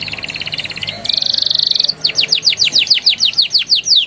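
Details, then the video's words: Canary song used to get young canaries singing: a fast pulsing trill that grows louder, then a steady run of rising whistled sweeps repeated about five times a second. "PANCINGAN KENARI PAUD NGERIWIK NGEROLL GACOR EMOSI EFEKTIF UNTUK TERAPI KENARI MACET BUNYI"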